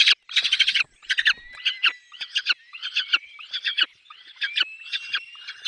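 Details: Peregrine falcon nest holding chicks: a loud raspy outburst opens, then a rapid run of shorter scratchy notes continues, laced with thin high whistles.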